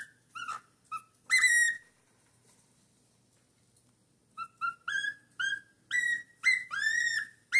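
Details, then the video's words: Young cockatiel, four months old, singing heavily: short clear whistles and one long harmonic whistle, then a pause of about two seconds before a rapid run of rising and falling whistled notes, some upswept, some bending downward. "calopsita com 4 meses cantando muito"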